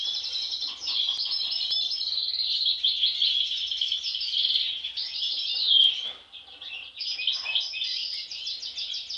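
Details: European goldfinches, siblings, two of which have had an unusual facial mask since birth. Dense, continuous liquid twittering and tinkling notes run almost without pause, with brief dips in loudness.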